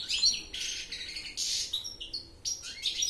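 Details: Goldfinch singing a continuous, high, tinkling twitter of rapid chirps and buzzy trills, phrases running almost without pause.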